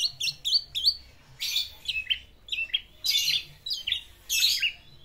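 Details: Caged black-naped oriole wooing a female with its learned fill-in song: crisp down-slurred whistled notes repeated in small groups, broken by loud raspy bursts, recorded indoors.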